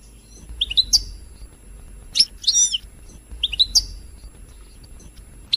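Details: European goldfinch, used to stimulate singing, giving short, separated bright chirps and twangy double notes with quiet pauses between the bursts.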